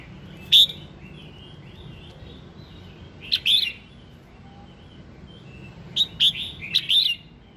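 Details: Red-whiskered bulbul in morning song, used to encourage singing: loud, clipped whistled phrases come in three bursts about every three seconds, with softer warbling notes and faint chirps in between.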